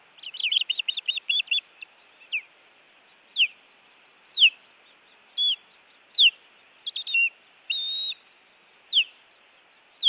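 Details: Osprey calling at a Montana nest while intruders attack, recorded on a nest camera on a June evening: a rapid burst of sharp high chirps, then single whistled downslurred notes every second or so, some with a short flat tone.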